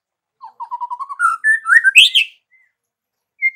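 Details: White-rumped shama song opening with a quick accelerating run of short low notes that climb in pitch into bright whistled phrases, followed by a brief pause and a single high note.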